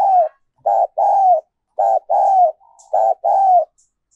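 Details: Spotted dove decoy song of the 'giọng còi' type, called 'giọng kim' by many: clear paired coos, a short note followed by a longer falling one, three phrases about a second apart on a quiet background.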